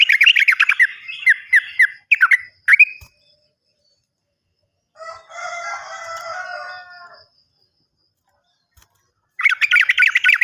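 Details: Sooty-headed bulbul lure song for silent or untrained captive birds: fast rolling trills in short bursts for three seconds, a pause, a drawn-out stacked wavering tone, then the rapid trilling returns.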